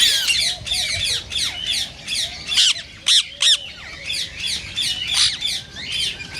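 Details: Green rose-ringed parakeet calling to encourage mating in other parakeets: continuous chatter of sharp, rasping high screeches, with a few louder isolated squawks near the middle.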